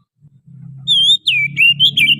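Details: Lure song of a wild forest Oriental magpie-robin: a clear drawn-out whistle, then a run of looping, downward-sliding whistled notes over a steady low hum.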